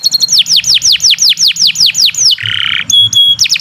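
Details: Canary singing at length as a training recording for other birds: about ten evenly spaced descending whistled swoops, then a harsh buzzy note, clipped pure whistles, and the swoops returning.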